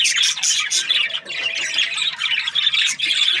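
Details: Chirping budgies, the small Australian parrot, fill the air with rapid harsh squawks and scratchy chattering notes that overlap constantly, with brief louder bursts near the start and again toward the end.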